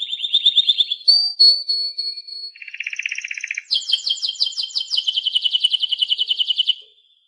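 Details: Timbrado canary, a domestic canary breed, singing a varied song of rapid rolled trills: a dense low roll, high whistled tours, then a long fast pulsed trill repeated about three times per second, in a quiet setting.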